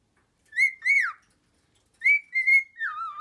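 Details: Cockatiels calling: two loud whistled notes, the second sliding downward, then after a pause a longer level whistle and a falling, wavering note, all clear against a quiet background.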